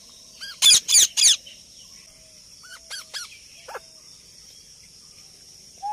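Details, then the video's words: A parrot making sounds: three loud, rasping screeches in quick succession, followed by softer short squawks and a brief whistled note. "Parrot talking And Making sounds"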